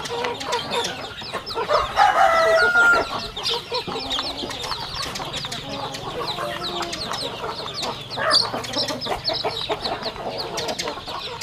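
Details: Rural farm chickens feeding, a busy chatter of rapid clucks and high chirps about three per second, with a louder burst of whistled notes early on and faint human voices.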